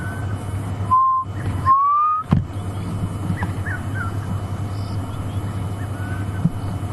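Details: Black cuckoo (Cuculus clamosus) heard very faintly during a sunset drive at Djuma, 6 November 2015, before a night storm: a few mournful whistled notes, longer ones sliding upward, over a steady vehicle engine rumble, with faint calls of other birds.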